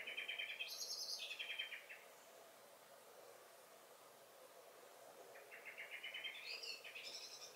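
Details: Common blackbird singing in a garden in May: a bright phrase rising to high, thin whistled notes then dropping into chattering twitters, a quiet gap, then another rising, twittering phrase ending high.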